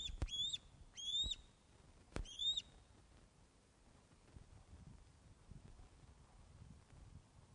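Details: Osprey at the nest at Loch of the Lowes, webcam recording from 21 August 2012 at 16:35 as fish is delivered. Three loud, upslurred whistles with clipped endings come in the first seconds, followed by quiet rustling.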